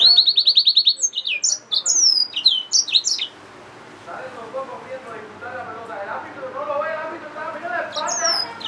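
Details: Yellow-fronted canary mule, a hybrid finch, opens with a fast trill of even high notes, then varied sweeping chirps. Softer, lower warbling sounds follow in the background during the second half.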